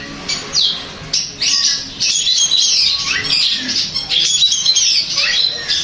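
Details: Song of a long-tailed shrike used to get another shrike answering and singing, mixing harsh squawks with clear whistled notes that sweep downward, run together in a rapid, varied jumble.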